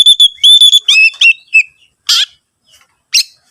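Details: Oriental magpie-robin as a lure for other singers: steady, piercing whistles and warbled notes, followed by two isolated harsh, scratchy bursts separated by silence.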